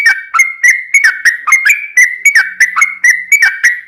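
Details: Vocal yellow-vented bulbul used as a lure for other birds: an even, whistled chatter of short slurred notes repeated about three times a second, steady throughout.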